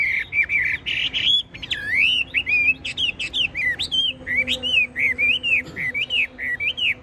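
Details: Chinese hwamei, a tame cage bird that keeps singing even when its cage is shaken, delivering continuous loud song: rapid, varied whistled loops rising and falling, several phrases per second, without pause over a faint background hum.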